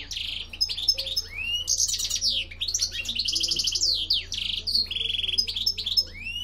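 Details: A European goldfinch recorded in 2013 sings a fast, tinkling jumble of high twitters, liquid trills and buzzy notes, running on without pause.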